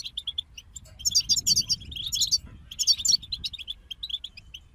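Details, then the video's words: Goldfinch group song used to motivate songbirds: single sharp chirps open, then rapid tinkling, metallic twitters build in two or three bursts before fading back to isolated tweets. "King of Songbirds Goldfinch Group Motivations for Songbirds"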